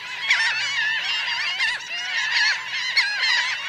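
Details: Dense chorus from roughly 1000 Laughing gulls on the ground and in flight, recorded close up; rough, wavering calls overlap continuously, and a few sharp, loud yelps punch through, and there is a low background hum.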